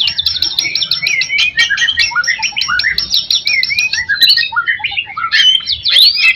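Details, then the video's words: Lure song of a white-rumped shama for stimulating other shamas: quick repeated chattering notes over a run of rising and falling whistles, then scattered clear slurred whistles. "MURAI BATU GACOR Ampuh buat pancingan"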